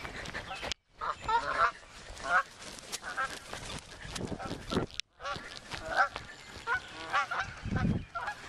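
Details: Geese being scared off in the morning honk in loud, nasal, repeated calls at irregular intervals, mixed with a person's voice and rustling outdoor noise.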